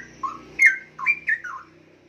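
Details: A young caged straw-headed bulbul, about one year old and thought by its owner to be male, sings a rich, liquid phrase of four or five mellow swooping whistled notes within about a second and a half.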